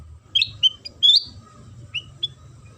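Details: Brief burst of sooty-headed bulbul lure song, played to make other bulbuls sing: a few bright upswept whistles and chirps, then two softer notes, over a low background hum.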